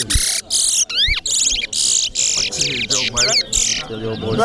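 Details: Large-billed seed finch (towa towa) singing during a bird-singing competition in Corriverton, Guyana: loud, high, buzzy bursts and sharp rising-falling whistled slurs in quick succession, with people talking quietly in the background.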